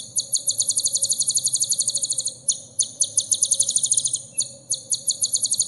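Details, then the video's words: Sunbird isian song used to tutor caged birds: dense, high-pitched rattling trills of rapidly repeated notes in several bursts separated by short breaks, over a constant faint hum. "suara isian burung kolibri terbaru 2021"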